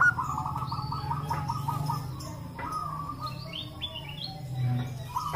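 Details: Several local zebra doves calling back and forth, recorded to encourage other doves to call; a steady run of quick, even cooing notes fills the opening, followed by softer overlapping trills over a low rumbling hum.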